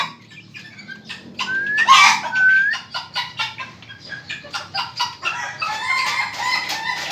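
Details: Laughing call of a young Ayam Ketawa chicken: after a couple of rising whistled notes comes a rapid, chattering series of clipped syllables, about two per second, like staccato laughter, fading into rougher, buzzier notes.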